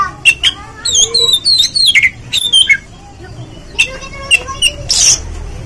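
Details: Oriental magpie-robin singing as a lure meant to provoke another bird into singing and opening its tail: varied clear whistled notes and quick slurred phrases, some rising and falling, interrupted by a short harsh burst near the end.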